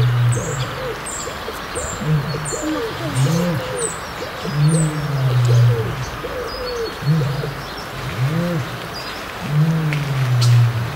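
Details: Male North African ostrich in a zoo enclosure calling to catch the attention of its keeper next door, neck inflated, as part of territorial behaviour; deep, low booming hums repeat every few seconds, with small birds chirping high above.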